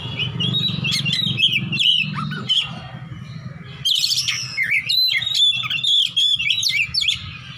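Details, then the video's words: Rival-seeking fighting Oriental magpie-robin singing ngeplong: busy whistled phrases, a short pause, then loud zigzag whistles and sharp notes, with a steady low hum throughout. "kacer petarung cari lawan//ngeplong-ngeplong"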